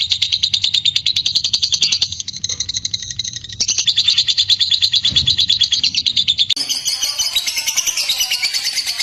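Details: Lovebird in long ngekek chatter, a clear lure to set other lovebirds singing: a rapid high rattling trill of quick repeated notes, briefly pausing and restarting, turning into a rougher, noisier scratchy chatter near the end.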